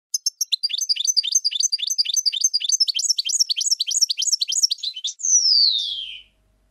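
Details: European goldfinch singing a long run of rapid repeated twittering notes, each a quick up-down chirp, ending in one long drawn-out descending whistle.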